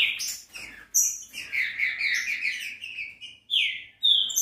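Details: Green-winged saltator singing, played to make a caged bird sing: a dense, rolling stretch of rich whistled notes, then two clear, rising whistles set apart by brief gaps.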